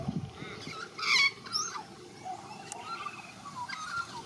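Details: Australian magpie of the white-backed form, a young bird learning song, in Australia: high bright whistles and a loud burst of harsh, rich notes around the first second, then quieter fluting phrases over faint background noise.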